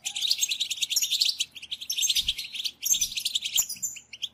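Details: European goldfinch sistasa and batbata chatter, used to spur silent goldfinches to sing: quick high twitters and tinkling trills in dense phrases, a pause near the middle, then a fresh bright burst.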